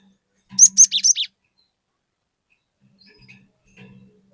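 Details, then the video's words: Cinereous tit singing lively to lure untrained tits into singing along: one short burst of four or five high, sharp whistled notes, then near silence with faint background clicks. "Burung Glatik Gacor Memancing Glatik Bahan Agar Ikutan Gacor Ngeplong"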